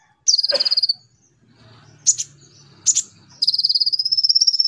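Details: Konin lure song for training a young kolibri ninja: a fast, even, high buzzing trill, two sharp chip notes, then a long rising trill, with faint low murmur behind.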